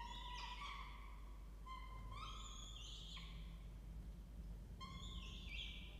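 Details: Peregrine falcon family at a nest box inside a water tower at Charles Sturt University, Orange, New South Wales, Australia, 2 November 2024, 08:07; nestlings about four weeks old. Faint harmonic calls, three rising, wailing notes spaced about two seconds apart over low hum.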